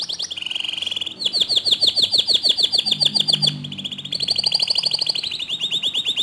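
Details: Canary singing, offered as a tutor recording to set other canaries singing: long, fast, even trills of repeated high notes, broken by a brief pause, then another bright rolling trill at a slightly lower pitch.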